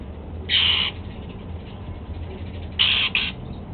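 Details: Male golden-fronted leafbird kept as a pet, eating apple for breakfast, gives two short, harsh, buzzy calls about two seconds apart, the second one doubled, over a low indoor hum.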